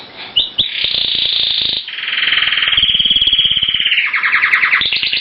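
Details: Male Timbrado canary singing to a new hen in a breeding cage while she ignores him. Continuous rolling, rattling trills of rapid pulses shift from one steady pitch to another, with brief whistled notes at the start and no pauses.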